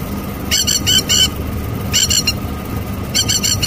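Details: A panicking plover gives three bursts of sharp, high, rapidly repeated piping notes, each about half a second long, over a steady low rumble of background noise.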